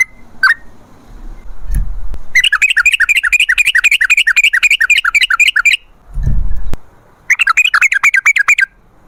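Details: Sooty-headed bulbul in lively long-running song used as a lure for wild birds: a single note, then a fast even run of about forty chirping notes, a break with a low thud, and another rapid run.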